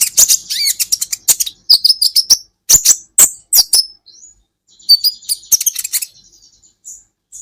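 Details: Kolibri ninja sunbird recorded as a training track for caged songbirds: rapid bursts of sharp, very high chirps and short twittering trills, separated by brief pauses, with a few thin whistled slurs near the end.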